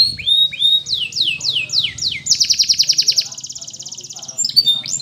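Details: Canary training song: a run of five clear downslurred whistles, then a loud rapid buzzy trill, a finer fast rattle, and bright rising chips at the end over a faint low hum.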